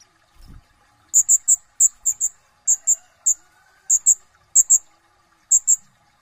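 A sunbird gives very high, sharp chips, mostly in quick pairs, repeated every half second or so in an otherwise quiet setting.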